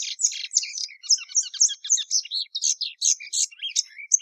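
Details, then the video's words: Plumbeous seedeater, known locally as patativa verdadeira, singing a quick string of bright, high chirps and short downslurred whistles in steady succession, finishing on a thin clear note. "PATATIVA VERDADEIRA"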